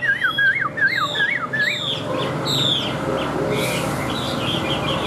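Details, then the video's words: White-winged, white-tailed Chinese hwamei kept in a cage, noted for high singing, gives five quick looping whistled notes, then fainter scattered chirps over steady background noise. "Họa Mi Cánh Trắng Đuôi Trắng - Hót Cao Cầu Đuôi Lá Vả"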